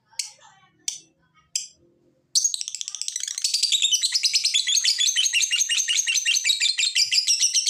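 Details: Lovebird ngekek, a chattering song meant to prompt other lovebirds to sing: three separate sharp chirps, then a sudden long, fast, buzzy stream of high chattering notes running to the end.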